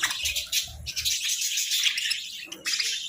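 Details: Sunbathing budgerigars in a short burst of busy, high twittering and scratchy chirps, broken by a brief pause and low knocks.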